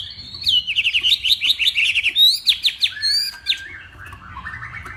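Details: Hwamei from Northwest Vietnam training its voice at a morning singing contest: a fast rattle of steep, downward-sweeping whistled notes, then longer pure whistles fading into softer warbles.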